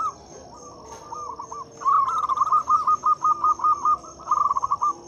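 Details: Local zebra dove used as a lure to prompt mute or reluctant doves to sing: faint cooing leads into a fast, loud run of about a dozen short, even coo notes, with a steady high electronic whine behind.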